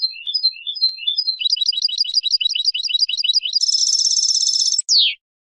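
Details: European goldfinch singing a tutoring song for chicks: lilting whistled notes, then a fast even series of slurred chirps, a dense buzzy trill, and a final sharp downslurred note before silence.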